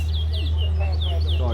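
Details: Towa towa (large-billed seed finch) singing at a bird singing competition in Guyana: quick sweet whistled notes, some sliding downward, repeated in a steady stream over a loud constant low hum, while a person counts aloud.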